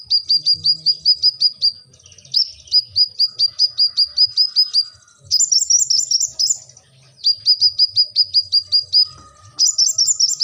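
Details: Brown-throated sunbird singing a lively, high series of sharp repeated notes, quick bursts of about eight to ten chips each, with brief pauses and occasional higher twittering phrases between them.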